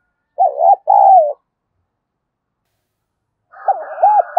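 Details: Spotted dove used as a decoy to draw wild doves, giving one deep two-part coo phrase, a quick hooked note then a longer rolling croon, followed by a fainter phrase with a higher soft background tone.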